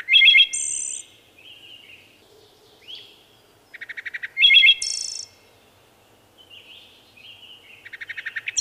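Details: Repeated wood thrush phrases, roughly every four seconds, mixing rapid stuttered notes, liquid flutelike whistles and high buzzy trills, with soft quieter notes between them.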